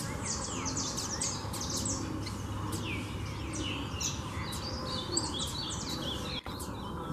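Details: A flock of wild Double-collared Seedeaters (coleiros) coming down onto a cage; many short, high, overlapping chirps and twittering notes from several birds throughout, over a steady low hum and background noise.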